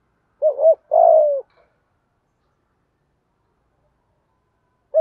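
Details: Spotted dove cooing in the 'giọng thổ pha gù thúc' style, a recording used to stimulate and train decoy doves. A quick two-part mellow coo leads straight into a longer, gently falling note, followed by silence and the start of another phrase.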